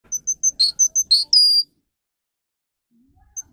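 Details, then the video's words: Russian singing canary, used to teach young canaries to sing: a short burst of high, clear whistled notes repeated in quick succession, then a buzzy trill and a sliding whistle, followed by near silence. "Canary how to sing listen and teach young Canary"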